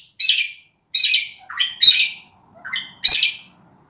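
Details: Wild Australian magpie from Australia uttering harsh, scratchy notes mixed with short lower yelping tones, about six bursts spread over four seconds with irregular spacing.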